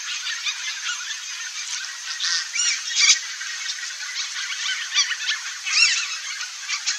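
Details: A nesting pair of red-bellied macaws giving harsh, scratchy squawks in loose bursts, with a few louder rasping screeches standing out over a dense background of similar grating calls.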